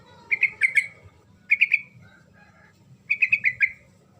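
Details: Sooty-headed bulbul song used to provoke a silent bird into answering: bright chirpy phrases of three to five quick notes, repeated about every one and a half seconds, over a low background hum.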